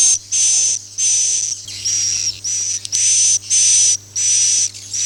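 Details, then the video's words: Swiftlet in "Akau ngaji" style: repeated raspy, breathy buzz-notes with a thin steady whistle inside, about eight in quick succession with brief silent gaps. "suara walet Akau ngaji Original"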